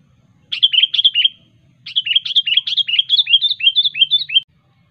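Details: Sooty-headed bulbul in the wild, singing sharply to call rivals: a short burst of high, downward-slurred whistled notes, a pause, then a longer run of about a dozen similar slurred notes in quick succession.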